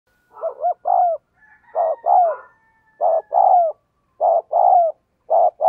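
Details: Spotted dove decoy bird cooing urgently to encourage other captive birds to call: mellow low coos in paired phrases, each a short note followed by a longer, slightly falling coo, repeated about every second and a half.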